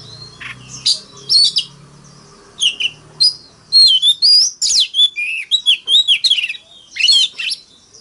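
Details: Oriental magpie-robin fighting song from a decoy bird, forest-voice style: after a few scratchy notes, a run of clear whistled notes swooping up and down, rich and varied, then a burst of sharp chips near the end.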